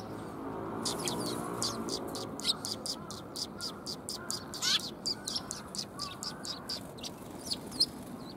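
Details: A flock of sparrows coming to be fed on 20 March 2021 chirps in short high notes, fairly evenly spaced, with a low murmur in the background during the first seconds.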